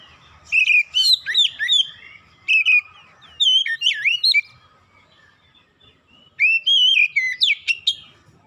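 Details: Oriental magpie-robin lure song, used to spur reluctant birds into singing: three bursts of loud, varied whistled phrases with sweeping slurs and sharp high notes, separated by short pauses.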